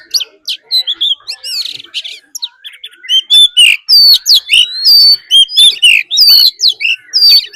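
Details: Fighting song from a decoy Oriental magpie-robin, with a wild female's call mixed in, used to provoke other birds: rapid, loud whistles, sweeping slurs and harsh buzzy notes, building to a dense torrent of phrases.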